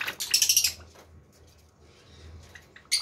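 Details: A group of eleven Java sparrows in Hyderabad, India, gives a quick burst of high, metallic chips and clinks lasting under a second. After a pause, one more sharp note follows.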